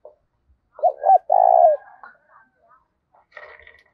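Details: Spotted dove used as a decoy for wild doves, giving a giọng thổ style call: two quick hoots and a long burry coo, followed by faint scrapes and a soft buzzy background noise.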